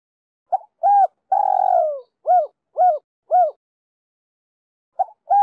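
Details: Spotted dove song in the Đồng Rặc style, meant to attract other doves: a brief note, a coo, a drawn-out rough falling coo, and three clean rising-falling coos, then the phrase begins again.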